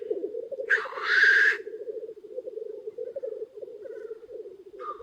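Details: Lekking black grouse cocks, many together in early spring near a hide: one strong hissing sneeze near the start, then a gentle, continuous bubbling murmur with faint further hisses.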